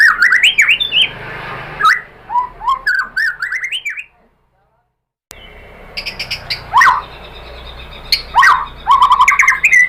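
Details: Provoking song of a white-rumped shama, meant to rouse a caged shama into answering: bursts of swooping whistles and sharp chips, an abrupt silent break midway, then louder rising whistles and fast repeated notes.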